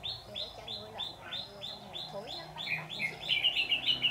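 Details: Red-whiskered bulbul near a trap set for wild birds, with the branch moved three or four times. Evenly spaced high chips come about three per second, then quicken into louder, denser notes toward the end.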